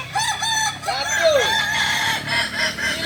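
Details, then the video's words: Kokok Balenggek rooster crowing at a practice contest in Ampang Kualo, Solok city. A run of short stepped crow notes leads into a bright arched note, with other roosters crowing underneath and a steady low hum. "ayam kukuak balenggek"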